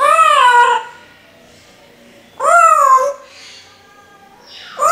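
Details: Parrot mimicking human speech indoors: two drawn-out, wavering voice-like phrases with rich harmonics, each under a second, about two seconds apart, and a third starting at the end.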